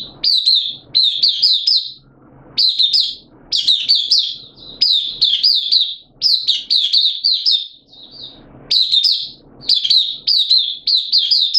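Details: Oriental white-eye kept in a cage by a bird hobbyist, singing on 8 September 2022 with form a little below its best: near-continuous high, tumbling chirps in dense phrases separated by brief gaps.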